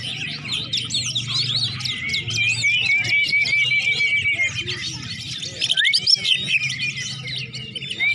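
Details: Greater green leafbird warming up before a singing contest, a dense run of varied whistles, trills and chattering notes, high and rapid, with short gaps and soft low background murmur.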